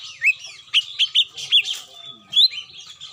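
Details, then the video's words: A few cucak mini lure notes meant to bring birds down, spaced clear slurred whistles and chirps, roughly one every quarter second, ending with a rising whistle, faint hum behind. "SUARA ASLI PIKAT CUCAK MINI,DI JAMIN TURUN"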